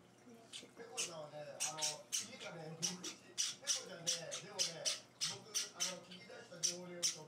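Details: Java sparrow chicks, four days in a new home, begging while being hand-fed indoors: a steady series of short, hissy high-pitched cheeps repeated several times a second, with soft human speech murmuring underneath.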